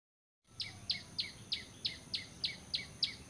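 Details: Bar-winged prinia, a recording suited to luring birds for trapping: a steady series of short, sharp, downward-sweeping chips, roughly three to four per second, over faint background hiss.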